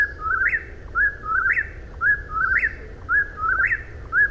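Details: Persistent eastern whip-poor-will song: bright whistled phrases that climb at the end, repeated evenly roughly every second over gentle hiss.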